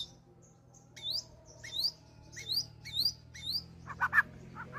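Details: Courting white-rumped shama showing off its fill-ins: a high, thin down-slurred whistle repeated about five times, spaced roughly half a second apart, ending in two lower, fuller chirps over soft rumbling noise.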